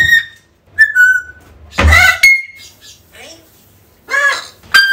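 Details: African grey parrot calling indoors in a small room, recorded to lure a lost bird back: a short whistled note, a harsh broadband squawk, a clear level whistle, then raspy harmonic squawks and a final sharp call.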